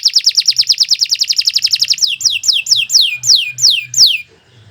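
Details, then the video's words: Prolific canary song, suited for teaching birds: a rapid rolling trill of about twenty notes shifts to slower, loud, sweeping downslurred whistles before falling quiet. "Kicau Burung Kenari II GACOR PANJANG"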